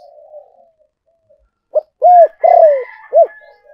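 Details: Spotted dove cooing as a lure decoy: after soft, faint coos, a loud phrase of four hoarse, rounded notes arrives, with a short accent, two longer arched coos, then a final clipped note.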